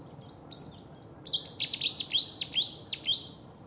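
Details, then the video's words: Cetti's warbler giving a territorial and courtship display song at Newport Wetlands Reserve: one sharp high note, then a loud explosive burst of about eight quick, high, emphatic notes over two seconds. "Cetti's Warbler in Newport Wetlands: #1 Display"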